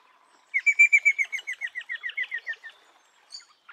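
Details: Eastern rosella giving a quick run of about sixteen clear, slightly slurred notes, roughly five per second, steady then trailing off, with a faint short whistle just before the run and a couple of soft notes after it.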